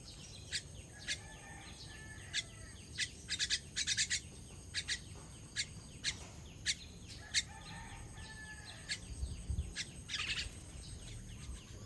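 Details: Baby bird being fed, recorded 18 June 2023: short, sharp, high chirps repeated at irregular intervals, in quick bursts of two to four near the fourth and tenth seconds, over a low steady background hum.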